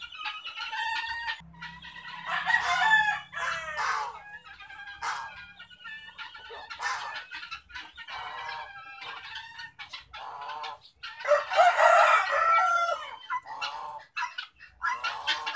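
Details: Kept guinea fowl, ten in an enclosure plus three outside serving as an alarm and four young, give harsh, rasping calls repeated rapidly and overlapping in a noisy flock chorus.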